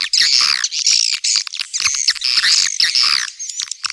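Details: Swiftlets, a call meant to draw in young birds: repeated bursts of shrill, buzzy twittering about once per second, mixed with sharp clicks and chirps, all high-pitched and thin.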